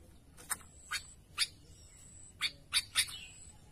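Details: Sooty-headed bulbul calling to its companions, giving a series of short, bright chirps spaced about half a second apart, with a soft background hiss.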